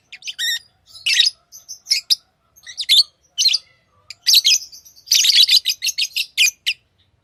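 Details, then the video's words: Pet lovebirds chattering busily, dense runs of shrill, harsh high chirps tumbling together, ending in a rapid stuttering series of short squeaky notes, no other sounds. "Love birds Sounds | lovebirds chirping sounds"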